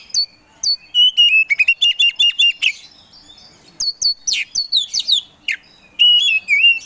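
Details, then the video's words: Oriental magpie-robin, kacer poci variety, in provoking song: quick sharp chips, a run of wavering whistles, then scratchy downslurs and a final pair of drawn-out whistles. "KACER POCI GACOR SANG PROVOKATOR || LELET SUSAH BUNYI SEKIAN DETIK LANGSUNG GACOR"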